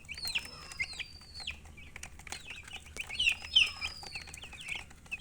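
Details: Baby chickens chirping: a flock of chicks gives many short, high, downward-slurred peeps in quick irregular bursts, with a thin drawn-out whistle passing faintly above them.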